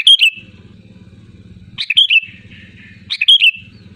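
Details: Loud Sooty-headed bulbul calling to rivals, a lure recording: three clear, gurgling whistled phrases spaced about one and a half seconds apart, against a low continuous hum.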